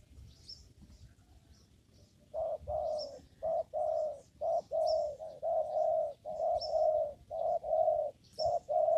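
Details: Spotted dove cooing in a papaya garden during trapping with a lure: a steady series of low, soft, hollow coos, about a dozen notes in seven seconds, some run together in pairs, with faint high chirps of other birds behind.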